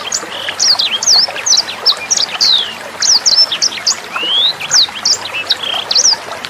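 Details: Clear sanger bird song for tutoring shamas, magpie-robins and green leafbirds, accompanied by water sounds. It runs as a continuous rapid series of high, sharp chirps with quick rising and falling whistled sweeps.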